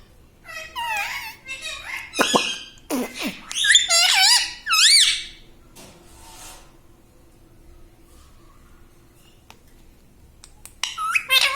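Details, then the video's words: Pet parrot indoors, saying "Mummy": a lively first half of squeaky, curving harmonic syllables and harsh bursts, then near silence with faint room noise before a brief squeak at the end. "Parrot talking video Mummy"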